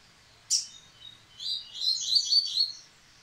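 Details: Yellow-bellied seedeater singing again after its moult: a sharp high note, then a burst of quick, twittering high notes in a jumbled phrase lasting about a second.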